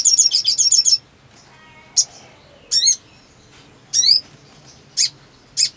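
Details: Black sunbird in breeding condition: opens with a quick rattling burst of high buzzy notes, followed by spaced sharp chips and squeaky down-slurred notes.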